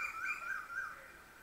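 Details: Asian koel calling in the background at a farm house with a village feel, heard live: a clear whistled call with a rising-and-falling series of notes, fading toward the end.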